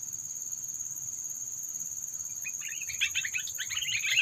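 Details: Sooty-headed bulbul call used as a lure when trapping birds to provoke predators; after quiet noise a lively chattering run of bubbly high notes begins and grows louder, over a thin continuous high whine.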